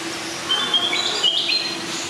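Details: A blue-crowned hanging parrot (Loriculus galgulus) at Schönbrunn Zoo, Vienna, gives a short run of thin, high, squeaky notes over about a second, against a steady low mechanical hum.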